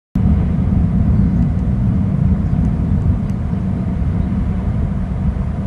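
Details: Steady low rumble of wind or engine-like noise fills the recording, with only faint brief high ticks and no clear animal voice.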